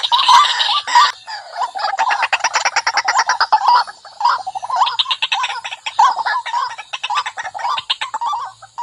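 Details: Fierce lure call of a white-breasted waterhen: two loud, nasal squawks, then a long series of rapid, buzzy, pulsed croaks that repeat in uneven bursts of gulping notes.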